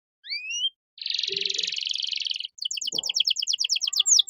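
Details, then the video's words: Canary 'cengkok mewah' tutor song for young caged birds: a rising doubled whistle, a long harsh buzzy trill, then a fast series of short repeated notes, with a brief low thump midway. "MASTERAN KENARI GACOR || Cengkok Mewah Mudah Masuk untuk Burung Bahan"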